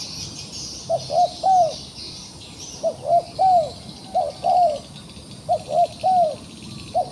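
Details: Steady series of three-note coos from a trapped, still-fighting wild pigeon: two short soft notes and a drawn-out falling note, repeating about every one and a half seconds against faint insect hiss.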